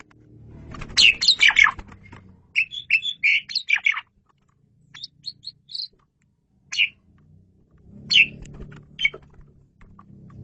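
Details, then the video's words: Asian pied starling heard in a 'masteran' tutor recording of busy 'gacor' song: dense clusters of sharp, buzzy notes, then scattered single whistles, over a low background hum that comes and goes. "KICAU SUPER GACOR!!! JAGO BANGET MASTERAN JALAK SUREN INI"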